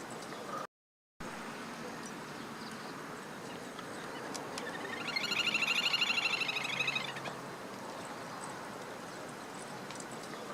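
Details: A Little grebe (Tachybaptus ruficollis) in June 2014, filmed around nest-building, gives a high, rapid whinnying trill that swells and fades over about two seconds, against steady broadband outdoor noise.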